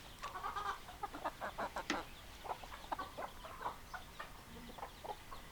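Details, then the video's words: Hens clucking in a group, short choppy clucks repeated rapidly and irregularly, several birds overlapping in a continuous chatter. "Chicken Sounds Noises Hens Clucking Roosters Crowing"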